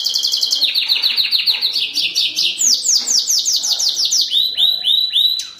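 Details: Pintagol in full song, a continuous rapid high warble of repeated downswept chirps and buzzy trills, rhythm steady throughout, ending with a series of looping whistled notes; loud and clear with little background noise.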